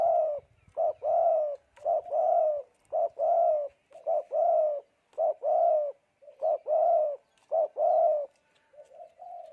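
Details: Wild-caught spotted dove singing its three-note coo style, praised as a fine voice: low, hoarse, mellow coos grouped in quick phrases, pausing briefly between bursts across about nine seconds, with no other clear sounds.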